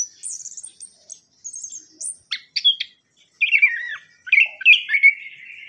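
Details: Orange-headed thrush singing, a lure for birds that stopped singing after moult. High thin twittering opens, then sharp clicks, then rich warbled whistles that rise and fall.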